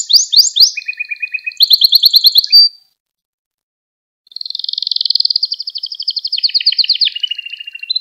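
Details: Canary training song for young canaries: quick descending notes and a short trill, a silence of about one and a half seconds, then a long even rolling trill that lowers slightly toward the end.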